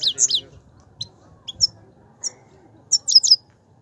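Himalayan goldfinch giving bright, high twittering notes in quick clusters with short pauses, over a faint low background murmur.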